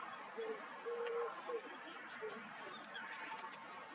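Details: Two late Common cranes at their roost in the Wetterau, Hesse, on 26 March 2021, after the main migration north had passed, give distant, low trumpeting notes, some drawn-out and some short, above a steady background murmur.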